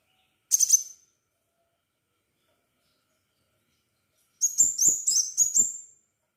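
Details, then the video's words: Crimson sunbird singing actively, used to coax other sunbirds to call: one brief cluster of thin high notes, a long pause of over three seconds, then a burst of five bright, upward-flicking chirps. "Burung kolibri sepah raja gacor - pancingan sepah raja agar bunyi"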